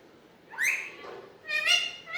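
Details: Pet Alexandrine parakeet, a talking desi parrot, giving two short, raspy voiced utterances, each a stack of harsh tones that bends upward, separated by a brief pause.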